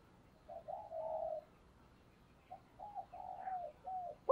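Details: Decoy spotted dove giving quiet, low murmured cooing to draw in wild doves: a short note, then a longer drawn-out coo, a pause, and another soft series of wavering coos over a faint hiss.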